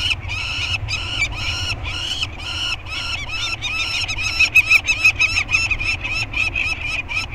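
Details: Peregrine falcon voices at an Anacapa Island scrape on banding day, May 2022, with two 30-day-old chicks and both parents present. Drawn-out, harsh, wailing notes come first, followed by a quicker series of sharp, rasping cackles.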